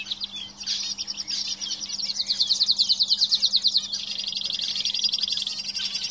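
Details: Canaries singing in a cage; varied chirps build into a long, fast, rolling high trill that shifts into a finer buzzy roll, above a low background hum.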